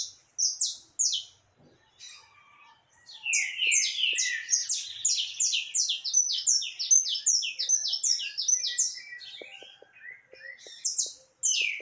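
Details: Canário caboclo singing heavily on 20 October 2021: a few separate sharp chirps, a short lull, then a long rapid chatter of crowded, downsweeping notes before isolated calls resume.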